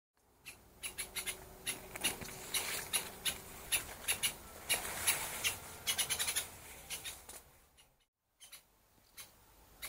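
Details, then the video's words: Two angry woodpeckers, father and mother of nestlings, perch on a dry branch guarding their nest and driving off an intruder, giving sharp, high, excited kik notes in quick uneven bursts, two or three a second, then brief silence. "Крики дятлов. Два сердитых дятла - папа и мама птенцов"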